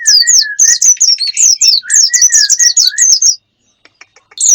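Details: Lure for wild birds: quick, sharp high chirps, about four a second, paired with lower whistled notes. The calls stop for a second before a final burst.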